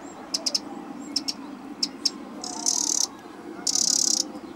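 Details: Eurasian wren in a garden giving sharp, high ticking calls in quick pairs and triplets, broken by two dry, buzzy rattles, over a steady low hum.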